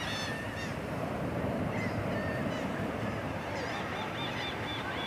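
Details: Gulls at Anna Maria Island giving short, nasal, harmonic squealing calls, several birds overlapping in bursts every second or so, set against a steady roar of surf and wind.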